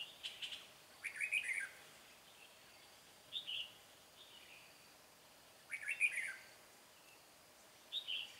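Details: Red-whiskered bulbul decoy singing to lure a wild bird into a trap, with a 'bell voice'. Short warbled phrases at mid-high pitch come in bursts about every two to three seconds. Brief high chirps and quiet background hiss lie between them.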